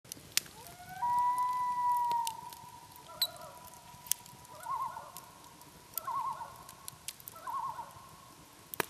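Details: Common loons on Langford Lake in Michigan's Upper Peninsula, heard beside a campfire: one long, steady, pure wailing note followed by wavering, tremolo-like phrases, with sharp crackling pops from the fire throughout.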